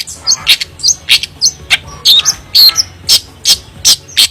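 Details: Long-tailed shrike (Lanius schach) singing actively with varied mimicry: a busy run of sharp, high chattering notes, roughly two or three per second, with scratchy and squeaky phrases mixed in.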